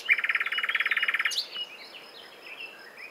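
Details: Common nightingale delivering a rapid, even rattle of about twenty-five notes lasting over a second, ending in an upward flick, then faint scattered chirps in the background.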